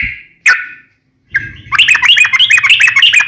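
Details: Sooty-headed bulbul (trucukan) in lively, varied song: a lone whistled note and a sharp chip, silence, then a rapid burst of bright bubbling notes trilled together.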